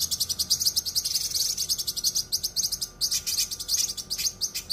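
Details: Cucak kinoi song for training other songbirds, delivered densely and sharply: an almost continuous stream of high, rapid twittering pulses, growing louder and more broken toward the end.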